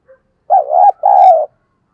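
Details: Decoy spotted dove cooing to draw in wild doves, giving one clear phrase: a quavering doubled coo, a short break, then a sustained steady coo, with a brief soft note just before.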